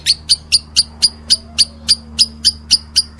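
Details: Lovebird calling in a steady train of piercing high chirps, roughly four a second, each short and clipped, over a faint low hum.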